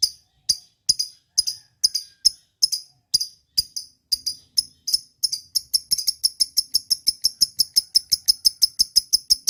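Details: Lovebird chirps, crisp and high, spaced irregularly at first, about two a second, then quickening into a fast, even series toward the end.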